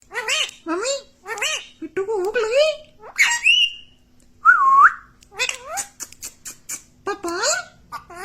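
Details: Talking parrot repeating words such as "mummy" and "mitthu", a series of short, strongly modulated whistly syllables with rising and falling swoops, a long sliding whistle in the middle, then more quick voice-like phrases.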